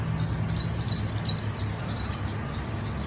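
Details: Nesting swallows in a colony chatter in quick, high, squeaky chirps, several per second, loudest in the first half, over a low humming background.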